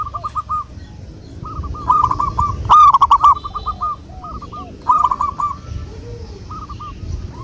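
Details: Local wild zebra doves used as a lure: overlapping runs of short hooked coos from more than one bird, with louder bursts around the middle and softer, lower arched coos in the background.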